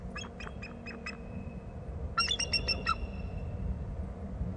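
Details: Bald eagle calling at its nest territory on Hornby Island, a second eagle nearby; two short bursts of high, staccato piping notes, about five each, over low wind-like rumble.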